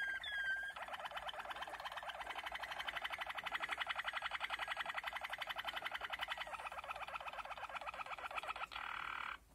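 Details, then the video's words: Malinois Waterslager canary opening with a brief clear whistle, then singing a long, fast, bubbling roll of rapidly repeated notes, steady in pitch, ending abruptly; recorded 2020. "malinois waterslager. Καναρίνι Μαλινουα"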